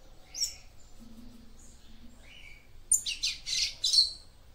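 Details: Female papa-capim seedeater singing to stimulate a male: a few soft thin whistles and a short buzzy note, then a loud jumble of high chattering notes at the end.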